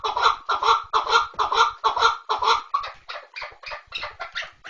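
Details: Chukar partridge giving a fast series of rasping chuck notes, roughly two per second, loud and even at first, then quicker, thinner and fading.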